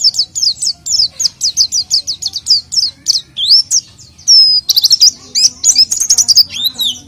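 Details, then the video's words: Oriental white-eye singing energetically, used as a lure to get an untrained white-eye to sing: a fast run of high, thin, sweeping chirps repeated several times a second, then a denser burst of trills and whistled slides. "PLECI GACOR UNTUK PANCINGAN PLECI BAHAN"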